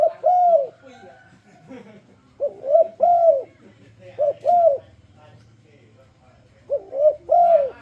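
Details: Spotted dove uttering its enticing lure song to draw other doves into singing: four cooing phrases, each a short double coo followed by a longer downward-bending note, roughly twenty-two per minute, with faint low background hum.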